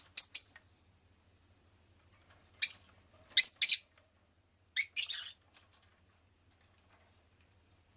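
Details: Pet rosy-faced lovebird chirping in short shrill bursts, mostly paired or in quick doubles, spaced a second or two apart across the stretch, with clean silence between calls.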